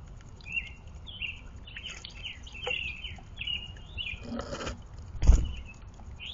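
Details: Two towhees bathing at a backyard water spot by woods and a creek below the North Georgia Mountains, northwest of Atlanta, give short, slurred chirps in quick succession, several a second, over a low rumble, with two brief splashing bursts.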